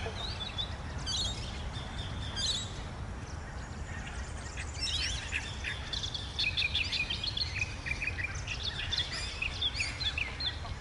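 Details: A reed warbler perched on thick reeds at a large pond's edge, Shankland Wetlands, Woodlands Historic Park, Greenvale, sings and calls with another reed warbler, possibly at a nest, in a bush opposite: scratchy repeated notes and harsher calls over a low rumble.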